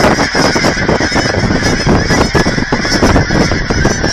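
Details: Thousands of geese clamor for food at an aquatic center in Hereford, Texas, a loud, steady mass of honks with no pause between calls.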